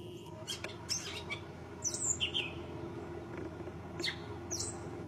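Gray catbird giving a halting jumble of short squeaky, slurred and scratchy notes, each phrase different, over a steady low hum.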